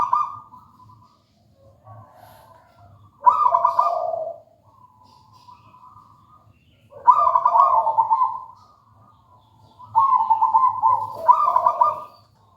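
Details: Local wild zebra dove singing at regular intervals, three loud bubbling trilled coo phrases roughly four seconds apart, separated by faint softer cooing.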